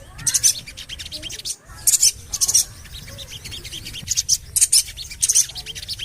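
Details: Javan cochoa call, played as a lure to get kept birds singing: clusters of very high, sharp chirps in short bursts about every second or two, with thinner ticking notes between them over a faint low hum.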